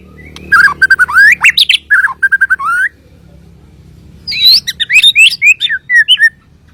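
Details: Song of a Kalimantan white-rumped shama: quick rising whistles and sharp chirps, then a pause of about a second before a second phrase of high, varied whistled notes. Faint low hum in the background.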